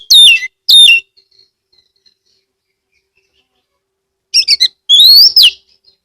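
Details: An owned Oriental magpie-robin from Rejosari, Ambal, Kebumen, Central Java, Indonesia, sings loudly as a lure song to make other magpie-robins sing. Two sharp whistled phrases come first, then a silent gap of about three seconds, then rapid chirps and sliding whistles.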